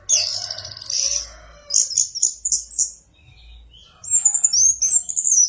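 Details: Orange-headed thrush singing: bursts of high, thin, rapid chirps and twittering notes, a pause of about a second, then sharp whistled phrases with upward slides, over a faint low hum.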